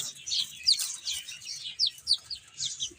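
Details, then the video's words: Chicks eating and playing; loud, high, downward-sweeping peeps come in uneven bursts about every third of a second, with faint pecking beneath. "Cute Chicks Chirping Sounds | Beautiful Baby Chicken Eating and Playing"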